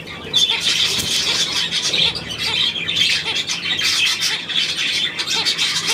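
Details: Budgerigars, 9 February 2024, keep up a lively stream of scratchy squawks and twittering, with brief clearer whistled notes now and then, loudness rising and falling in quick waves.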